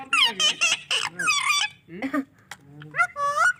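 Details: Happy pet parrot chirping and talking: a rapid series of squeaky, harmonic chatter notes, a short pause, then rising and wavering squeaks, with faint room sound.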